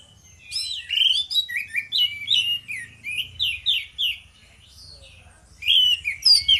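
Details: Morning song of two orange-headed thrushes, played to draw other birds into song: a dense stream of rich slurred whistles, falling and rising notes rolling for three seconds, a short lull, then more varied phrases.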